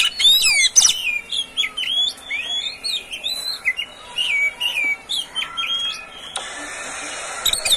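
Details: Oriental magpie-robin, a privately kept caged bird, singing as a training song for other birds; rapid series of short whistled notes and chirps, varied slurs and sharp ticks, fading into a steady hiss near the end.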